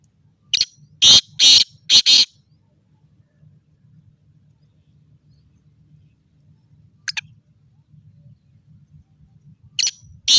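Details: Spirited caged black francolin of good stock, calling. It opens with a rapid series of five harsh, rasping notes, then gives an isolated short note and a fresh loud burst at the end, with a low hum beneath.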